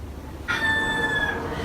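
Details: Rooster crowing at a bungalow on Hiva Oa, Marquesas Islands, French Polynesia; a loud harmonic note bursts in abruptly and is held steadily for about a second over faint background hiss.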